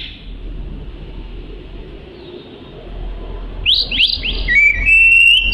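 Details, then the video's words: Oriental magpie-robin song, kept as training material for other songbirds: a quiet opening, then from mid-clip a burst of loud rising whistled sweeps and sharp chirps, finishing in a sustained high, clear whistle over faint low background hum. "Kicau Kacer Gacor Cocok Untuk Isian"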